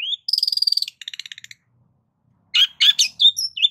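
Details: Cendet lure song: a rising whistle, a fast buzzy rattle of rapidly repeated notes, a pause, then harsh chattering notes and slurred whistles.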